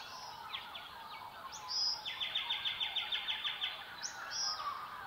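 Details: Silvereye in a dawn chorus in the Southwest: high, thin warbling with quick runs of repeated chirps, about three per second, overlapping with other small birds singing nearby.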